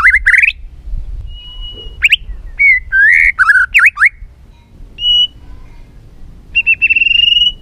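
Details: White-rumped shama being trained and stimulated to sing many varied voices: loud rich whistled phrases, quick rising sweeps, slurred loops and V-shaped notes, broken by pauses and long steady whistles, ending in a drawn-out rising whistle.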